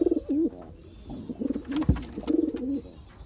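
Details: Champion long-distance racing pigeon cooing indoors: three bursts of throaty, rolling coos that wobble up and down, separated by short pauses. A sharp click sounds midway, and a faint high whine runs underneath.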